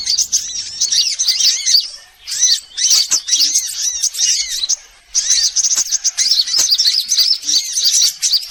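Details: Mixed sunbird calls played as a bird lure: bursts of busy, shrill twittering from several birds, with looping arched notes, broken by two short lulls near two and five seconds.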